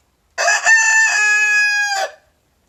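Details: Leghorn rooster crowing once: a loud crow with a choppy opening, then a long, level, strongly harmonic held note ending with a short drop, about one and a half seconds in all.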